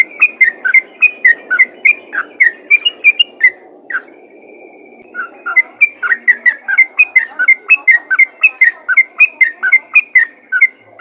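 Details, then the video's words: Yellow-vented bulbul calling other bulbuls with rapid bubbly chattering notes, broken by a held high whistle near the middle, then the fast chatter returns. "panggilan burung trucukan ropel gacor memanggil trucukan lain"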